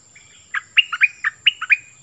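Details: Cream-vented bulbul decoy bird singing in full voice: a short run of bubbly, liquid notes, each dropping then lifting, in quick pairs after a brief pause, with a steady faint high hum behind.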